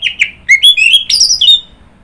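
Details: Orange-headed thrush producing a quick, varied run of whistled notes, some clear and rising, others harsher and buzzier, ending on a high, falling whistle.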